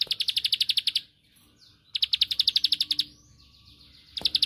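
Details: Short, rapid bursts of bright, high, pulsed chips from a bar-winged prinia, each about a second long with gaps of about a second, faint softer notes between them. The song is used to draw a rival's reply.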